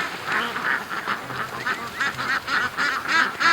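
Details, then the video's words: Morning rush of pen-kept ducks heading to the creek, released an hour later than usual; rapid series of raspy quacks, roughly three a second, rising and falling in loudness as several birds call together. "Ducks At The Creek Morning Rush"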